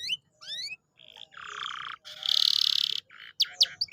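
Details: Canary song used as a lure to get a quiet, lazy canary singing again: upward-sweeping whistled notes, then dense buzzy trills and rolls that shift in pitch, with short pauses between phrases.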